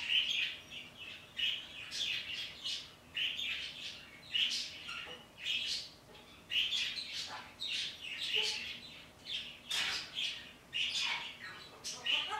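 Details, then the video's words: Morning chatter from a pet parrot addressing birds outdoors: sharp, high chirps repeated roughly every second in a steady run of short bursts. "talking to the birdy's outside"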